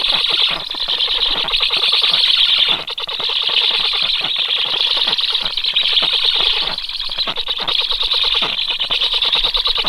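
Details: Stork chicks calling: a loud, continuous raspy chatter of rapid pulses with a dense hissing edge, briefly dipping near three seconds.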